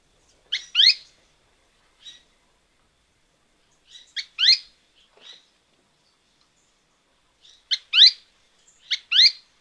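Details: Azara's spinetail at Alto San Miguel gives its 'pis-cuis' call, sharp high two-note phrases with the second note sweeping upward, repeated every few seconds against a quiet background.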